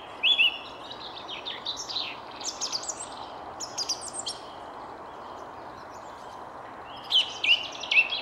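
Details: A song thrush, one of many, sings clear whistled phrases in the Jardin du Roi at Versailles on 19 February around 9:30, in mist broken by sun. The last phrase is repeated three times quickly, with softer, more distant singing between phrases.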